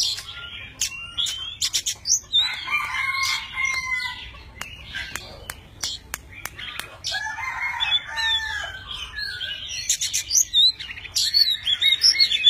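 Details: Tame Oriental magpie-robin displaying, wings and tail spread, as it sings a varied song; rapid clicks and sharp ticks at first, then bursts of whistled, warbling phrases with short rising and falling notes.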